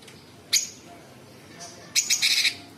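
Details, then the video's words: Sooty-headed bulbul in 'tembakan' style: a single sharp rasping note, then after a pause a rapid burst of harsh stuttering chatter. "Cucak cungkok gacor Variasi suara tembakan istimewa besetan kasar jeda rapat dan FULL ISIAN"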